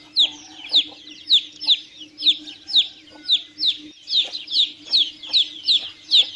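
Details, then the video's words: Peeping of young chickens, a steady series of shrill downward-slurred cheeps at roughly two per second, some overlapping as several chicks call, over a low constant hum. "CANTO E SOM DOS PINTINHOS - PINTINHO PIANDO"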